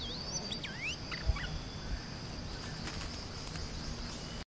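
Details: Red-whiskered bulbul song, played for training young birds: a short run of bright, swooping whistled notes rising and falling in the first two seconds. Then only a steady high-pitched hum continues over broad background noise.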